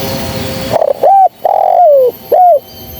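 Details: A single loud spotted dove phrase, recorded as a lure for trapping: a short stuttering start, an upward coo, a long coo gliding downward, then a final rounded coo.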